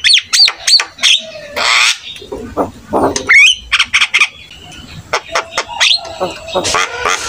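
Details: Energetic Javan myna song meant to set other starlings singing: sharp whistled upslurs, grating squawks and clicks tumble together, then quieter scattered notes and a final burst of harsh chatter.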